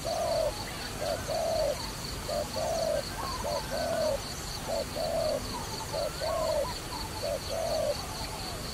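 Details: Series of dove coos recorded during trapping, short and long notes alternating evenly about every second for nearly nine seconds, over a steady high background tone.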